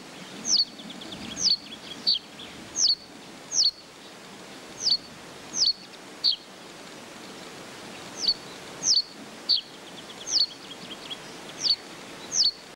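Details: Common reed bunting outdoors repeating short high chirps that slide downward, sometimes in pairs, spaced irregularly across the stretch, with faint echoing notes and a constant wind-like hiss beneath.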